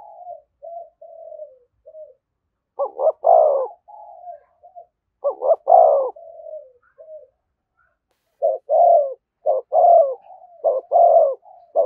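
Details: Spotted dove giving a 'thúc gù' style cooing call close to a decoy bird: low hollow coos in groups, quick doubled notes then a longer swelling coo, with soft trailing murmurs between groups and brief silent pauses.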